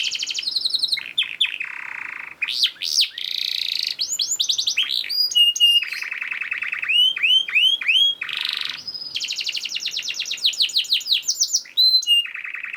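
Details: Fast, tightly packed canary song used as a tutor recording to get lazy canaries singing: continuous varied tours of sustained buzzy rolls, rapid rising sweeps, and chains of quick repeated whistled syllables, each section switching to a new note pattern every second or two.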